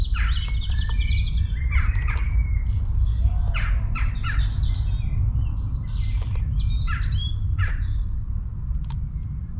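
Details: Long-tailed tit calling in a town: busy bursts of high, thin chirps and short buzzy notes tumbling over one another throughout, set against a strong steady low rumble of background noise.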